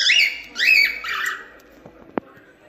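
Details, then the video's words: Cockatiel song, played for teaching another cockatiel to sing: a burst of harsh, harmonic chirps and warbled rising-falling notes over about a second and a half, then near silence broken by a single sharp click. "Canto de Calopsita 🐦 Ensinando Calopsita Cantar"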